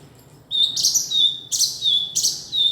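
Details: Male kinoi calling: after half a second of quiet, three loud, high, shrill chirps follow, each opening with a harsh burst and trailing into a thin level whistle, roughly every 0.7 seconds.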